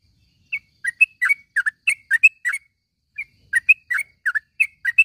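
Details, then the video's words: Yellow-vented bulbul calling in the morning, recorded for training caged bulbuls that have stopped singing. Bubbly, chirpy notes come in quick clusters, with a short pause midway before the chattering resumes. "panggilan suara trucukan di pag hari ini ampuh buat masteran burung trucuk macet bunyi menjadi gacor"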